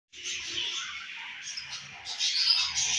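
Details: Home-bred budgerigars with a baby budgie, kept as pets; dense high twittering chatter that runs without a break and grows louder and brighter toward the end.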